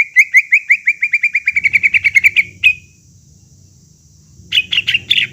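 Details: Greater green leafbird song played to rouse a silent caged bird into singing again; a quickening series of bright chirped notes that trails off, a pause with low rumble, then three loud harsh notes.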